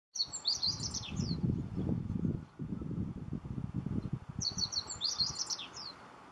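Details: Meadow bunting singing in Miho Citizens' Forest: two bursts of quick, high, sharply slurred twittering notes about four seconds apart, over steady low rumbling background noise.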